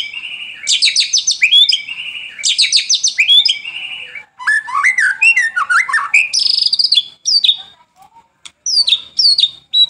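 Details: White-rumped shama song used as a lure recording, morning and evening: two loud bursts of dense chattering notes, then jumbled rapid chips and whistles, fading into scattered sharp high notes with short pauses.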